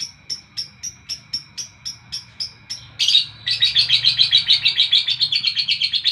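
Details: Lovebird singing in the morning: a steady run of sharp high chirps about every quarter second, then a louder, denser burst of rapid buzzy chattering notes, over a faint steady whine.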